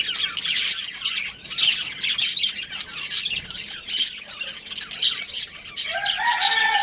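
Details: Home-kept budgie breeding pair calling. Scratchy, high chatter flows steadily, then a few clear rising whistled notes appear toward the end.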